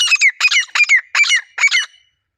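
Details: Wild grey francolin pair calling in a natural setting, a pair bonding sound: five loud, harsh, ringing phrases repeated about every 0.4 seconds, each with a sharp rising-falling squeal, then quiet.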